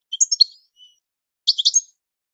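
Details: Training song of a European goldfinch for tutoring pet birds: a brief cluster of sharp twittering chirps, a faint thin note, then a second short group of rapid tinkling notes.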